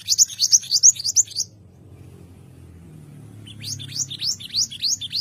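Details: White-rumped shama (murai batu) song as training material: quick series of bright, high, upward-sweeping whistled notes in two bursts separated by a pause, with faint low rumble underneath.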